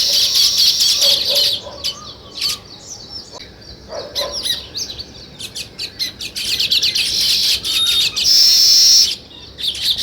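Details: Weaver birds building a nest give rapid, uneven chirps and raspy buzzing phrases, several voices overlapping. The clip ends in a sustained sizzling trill near the end.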